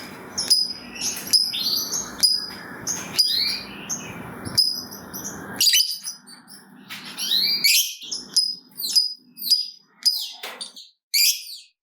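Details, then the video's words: ['Lovebird lure song meant to prompt other lovebirds to answer: sharp, high ticking chirps and squeaky upswept notes, first over steady background hiss, then in a clearer, broken sequence.'] "Pancingan Burung Lovebird Ngetik Bikin Gacor Ngekek Panjang !! Lovebird Lain Langsung Nyaut Gacor"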